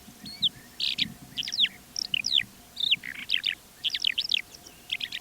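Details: Calandra Lark singing in flight over the Manych steppe near Divnoye, north Stavropol, early morning 21 April 2024 before the wind rose: a fast, jumbled song of high chirps, trills and slurred whistles with barely a pause, over a faint low wind hum.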